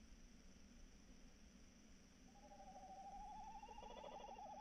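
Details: Tawny owl at night, 3 March 2018 around 21:14: after two seconds of low hum, a long wavering, tremolo hoot rises slightly in pitch and holds for over two seconds, strengthening toward the end.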